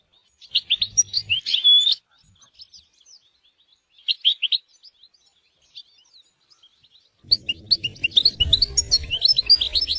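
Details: European goldfinch in nature: bursts of quick twittering and tinkling notes in phrases around two seconds long, pauses between, then a denser run of twitters near the end with low rumbling noise underneath.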